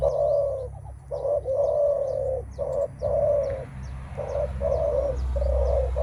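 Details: Spotted dove cooing 'menguku' at a rival before a contest of strength, mostly by males; steady string of low, hollow coos of mixed lengths, over thin high chirping from other birds and a low rumble.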